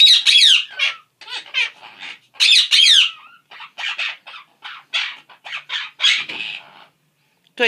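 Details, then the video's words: Two pet Quaker parrots talking: a rapid run of raspy, high-pitched chattering syllables and squawks, a few louder harsh bursts among softer mumbled notes, with a person speaking briefly nearby. "Quaker parrots talking"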